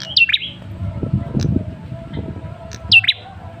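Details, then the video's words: ['Red-headed tailorbird male, used as a lure call. Two quick swooping high note pairs open and close the recording, with a brief soft chip between and low rumbling noise underneath.'] "Suara pancingan Prenjak Kepala Merah jantan"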